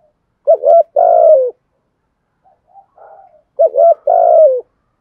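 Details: Repeated calling coos of a spotted dove in the 'thúc gù' style: a low, hoarse doubled note then a long falling coo, a pause with soft quiet notes, then the same two-part phrase again.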